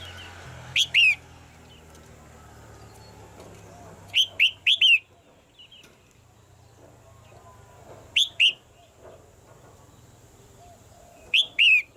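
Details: Female red-whiskered bulbul kept in a cage, calling to get the male singing harder. She gives short groups of two or three sharp, upswept chirps every few seconds over a faint steady hum.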